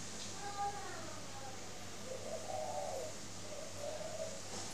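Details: Caged spotted dove at a Ba Vì bird farm, Hanoi, Vietnam, in the morning: a brief whistle and faint voices at first, then two soft, low coo phrases near the end over an electrical hum.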